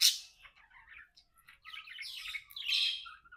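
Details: Budgerigar companions at play: a loud sharp chirp opens, then soft twittering notes build into a louder scratchy warble that fades on a thin whistle.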